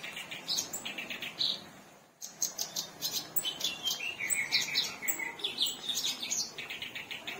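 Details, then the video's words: Black-browed reed warbler in full, lively song, an Indonesian cage bird; rapid scratchy chattering with repeated high chips, short buzzy trills and quick rising notes, continuing almost without a break after a short gap early on. "BURUNG BKERAKBASI (sinchan) ALIS HITAM gacor"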